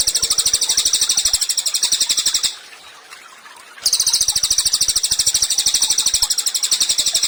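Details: Songbird-training tutor recording of a lively cililin: a rapid stream of high, shrill repeated notes forming a buzzy trill, stopping for about a second midway before resuming just as fast, over regular low clicks.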